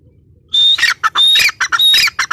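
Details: Female grey francolin (teetar) bursts into a close, harsh call series: high piercing whistles alternating with rough, grating squawks, about three notes per second, starting after half a second of quiet.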